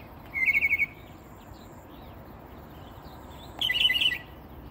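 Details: Northern mockingbird singing at dawn from a peacock flower bush about ten feet from a door in south coastal Texas: a rapid burst of five repeated chirping notes, a pause, then a louder, jumbled, scratchy phrase.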